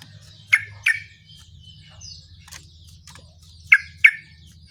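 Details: Yellow-vented bulbul song played as a lure to get other bulbuls to answer: two pairs of sharp, bright bubbly notes separated by quieter chirps, over a steady low hum.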